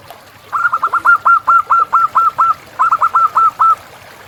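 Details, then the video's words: Local zebra dove, wild and in full song: a clear, even series of about fourteen quick cooing notes, a brief pause, then a shorter run of five or six notes, over a quiet background. "Perkutut Lokal Gacor"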